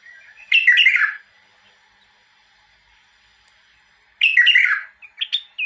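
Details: Two loud, rich warbled phrases from a bulbul, separated by about three seconds of near silence, the second followed by a couple of short, clipped whistled notes.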